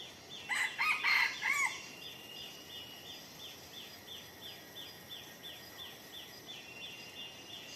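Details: Red junglefowl in deep forest during a luring session: a loud, brief crow of several choppy notes near the start, followed by a faint series of high repeated chirps from another bird over steady forest background.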